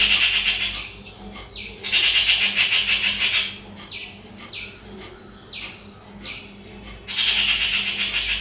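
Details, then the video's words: Loud, harsh chattering from a rufous treepie in natural habitat, India: long rapid grating rattles of raspy notes come in bouts of about a second and a half, separated by shorter separate rasps, over a steady low hum. "Rufous treepie bird making loud sounds - ഓലഞ്ഞാലി പക്ഷിയുടെ ശബ്ദം"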